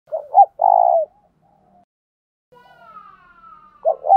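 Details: Spotted dove decoy cooing to provoke other doves into calling: a short double-noted hoarse coo, then a longer rolling hoot, then quiet, a faint thin descending whistle, and the double coo starting again at the end.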